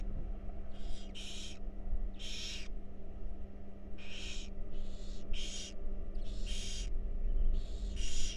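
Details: Nest-box barn owl chicks, wild, at a feeding, rasping hissy snores in broadband bursts, some doubled, coming roughly every second over a constant low electrical hum.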